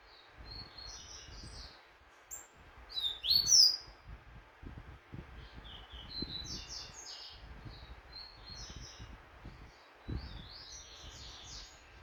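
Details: Double-collared seedeater, a competition bird training for a singing tournament, gives short high twittering song bursts around the third, fifth and tenth seconds over a low background rumble.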